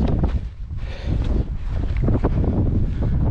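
Strong wind buffets the microphone on a hill summit, giving a loud, continuous low rumble with rustling gusts and no animal calls.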